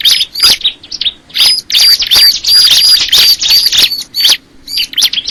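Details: Crystal ciblek producing a steady stream of shrill chirps and high, thin whistles, densely packed and repeated nearly three times a second, with a brief lull near the start.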